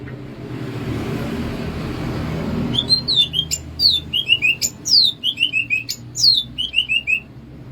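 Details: Greater green leafbird from Alas Purwo, Banyuwangi, delivering bebeciu song after a quiet start: lively falling whistles in rapid series, sharp high downslurred notes and short chips. A faint low hum runs beneath.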